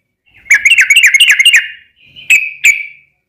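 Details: Yellow-vented bulbul in long rapid song, used as a lure to provoke other bulbuls into singing: a quick burst of bubbly, warbled notes, a pause, then two sharp chirped notes.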